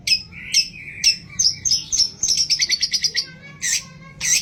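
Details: A long-tailed shrike sings mimicked phrases, including fighting-sparrow imitations, in a recording used as a lure to get other shrikes singing. Whistled downslurs are followed by a fast trill of bright repeated notes, then two loud chirps.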